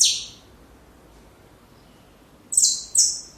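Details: Saffron finch song used for training young birds: a single harsh high note, a long silent gap, then two quick buzzy descending notes close together.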